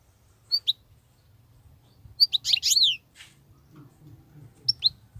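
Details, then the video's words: Wild European goldfinch in continuous song, 'batbatat' style: a paired chirp, then a loud rapid twittering run of rolling, descending notes lasting nearly a second, a short rustle, and another chirp pair near the end. "صوت الحسون البرى:مقنين خلوى ممتاز..بتبتات.. غناء لاينقطع"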